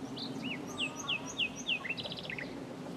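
A common nightingale sings a rich phrase: a run of four loud, repeated down-slurred whistles at an even pace, then a quick high rattling flourish, over a faint hum.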